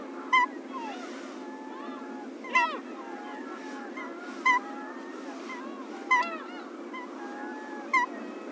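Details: Slaty-backed gull on the coast of Pingtung County, Taiwan, 1 February 2016, where it is a rare winter visitor: loud, nasal, harmonic cries repeated about every two seconds over a chorus of softer calls from other birds.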